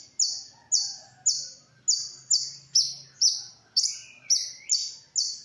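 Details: ['Brown-throated sunbird song for masteran, the training of other songbirds: evenly spaced, piercing high chirps about twice a second, one rising whistle near the end, and a faint low hum.']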